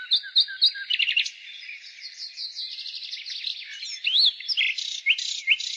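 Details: In spring, a nightingale gives three sharp paired chips, then a burst of fast rattling notes, a soft jumbled twitter and clear rising-falling whistles, with other bird twittering faintly underneath.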